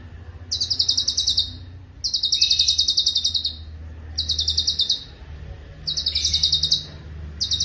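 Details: Cucak cungkok song used as a master recording for tutoring songbirds: loud, rapid, high-pitched pulsed trills in bursts of about a second, repeated after short pauses, with a faint low hum underneath.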